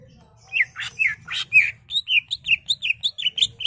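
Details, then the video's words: Cucak ijo, the greater green leafbird, in excited 'gacor' singing with 'ngentrok' fill phrases, played to spur caged birds into song: quick run of sharp, chirpy notes, a few harsh buzzy ones early, then a fast, fairly even series of bright tweets; low hum behind. "CUCAK IJO GACOR EMOSI BONGKAR ISIAN NGENTROK/ PANCINGAN CUCAK IJO BIAR EMOSI"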